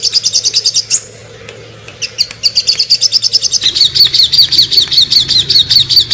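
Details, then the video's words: Sogon bird giving rapid high chirps, falling silent for about a second, then resuming with a lower, steady train of quick notes; made as master audio for training songbirds. "burung sogon ngobra"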